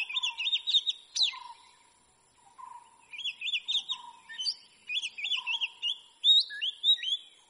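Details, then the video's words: Oriental magpie-robin singing a varied, sweet whistled song of rising and falling phrases with short trills, over a steady low whistle from another bird. "Oriental Magpie-Robin Sounds"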